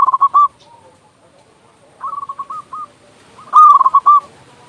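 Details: Indonesian local zebra dove with a loud voice, singing as a lure to get quiet doves calling: three phrases of rapid, hollow cooing notes separated by pauses of over a second, the last phrase loudest and longest.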